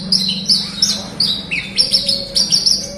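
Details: Horsfield's bush lark in full, energetic song, used to prompt silent birds into singing: bright high chirps and quick slurred notes in fast bursts over a constant low electrical hum.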